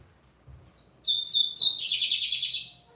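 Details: Lined seedeater in strong song, opening with thin, level whistled notes that rise into a dense, harsh buzzing trill, loud and clean against a quiet background.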